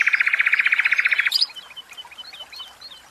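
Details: Caged common nightingale singing a fast, even run of about twenty loud repeated notes in barely over a second, then breaking into a softer, scattered twitter of higher chirps.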